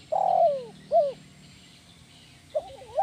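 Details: Spotted dove lure coo in the 'kuk 1' style, used to train other doves: a long smooth descending coo and a short hooted note, followed after a pause by the wavering opening of the next phrase.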